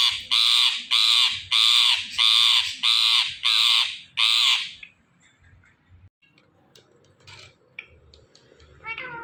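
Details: Rose-ringed parakeet, a talking ringneck parrot, calling seven loud, rasping, regularly spaced squawks, then quiet with faint chatter and a few thin notes.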